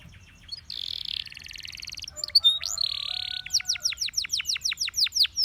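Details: Russian singing canary, whose song is said to attract other canaries, opening with soft chips, then buzzy rolling trills, a thin sustained whistle, and a run of loud, sharply descending notes.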